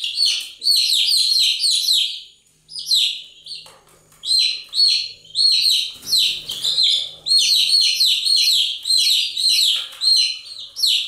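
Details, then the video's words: Chicks chirping continuously: a dense flock chorus of high, downward-slurred peeps in fast overlapping bursts, with a brief lull near the middle. "Continuous Chirping sound of Chicks"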